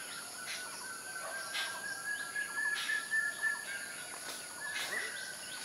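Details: White-breasted waterhen chicks being fed at Serpentine Lake, IIT Guwahati, India, give soft, high peeping begging chirps in quick little bursts over a steady insect-like hum and outdoor background noise.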